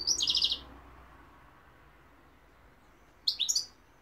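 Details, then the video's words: Two brief high bursts from a European goldfinch: a quick rippling series of bright repeated notes at the start, silence, then a short chirpy twitter about three seconds later. "goldfinch p throat sign 2021 مقنين الحسون"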